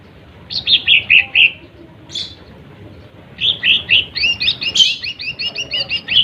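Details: Lesser green leafbird song meant to rile rival birds: a falling run of chirps, a lone sharp note, then a faster rattling series of bright repeated notes.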